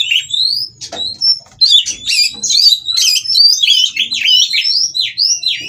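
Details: White-rumped shama from a breeding aviary, singing while mating to provoke rivals; opens with a rising whistle, then a fast, jumbled cascade of chips, trills and downward slurred whistles, a few low knocks.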